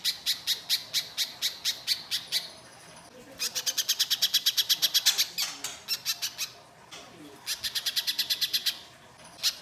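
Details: Lure recording of Little spiderhunter song for coaxing birds to sing: bursts of rapid, piercing high notes, each run lasting one to two seconds, separated by short quiet gaps.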